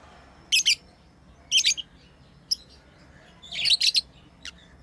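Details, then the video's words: Pet lovebirds playing, giving short bursts of shrill, high chirps in clusters about once a second, with quiet gaps between bursts and a faint steady background hum. "Lovebirds playing & Chirping sounds"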